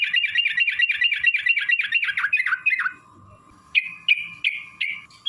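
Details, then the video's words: Sooty-headed bulbul giving a long rapid 'ropel' song, played to make other bulbuls sing: a fast bubbling run of quick chattering notes for three seconds, a pause with a steady thin tone, then a few louder slurred notes. "trucukan gacor TARUNG ROPEL PANJANG pancingan trucukan agar bunyi jadikan burung trucuk gacor EMOSI"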